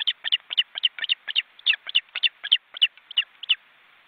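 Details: Osprey young in an Estonian forest nest watched by webcam, near fledging and wing-flapping: fast bursts of squeaky, piping chirps, irregularly grouped, several notes per second over a clean quiet background.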